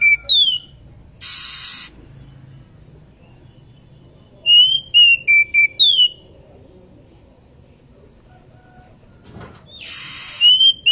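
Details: An Oriental magpie-robin female, in breeding condition, calls its companion with a short phrase of clear level whistles stepping downward, between two loud hissing noise bursts and long quiet gaps.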